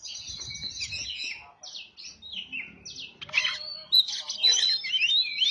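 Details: Oriental magpie-robin song used as a lure to attract birds: rapid, varied high warbling with squeaky whistled phrases and chattering notes, almost continuous, some brief low rumbling underneath.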